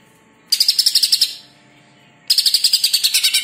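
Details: Greater green leafbird, known locally as cucak ijo, in a training recording: two bursts of fast, rhythmic, buzzy high notes, each about a second long, repeated at a steady pulse with a brief pause between bursts.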